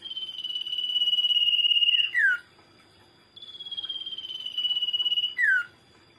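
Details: Common iora song, used as a lure for other birds: a long, slightly falling trilled whistle lasting about two seconds, closed by a quick downward slurred note, given twice.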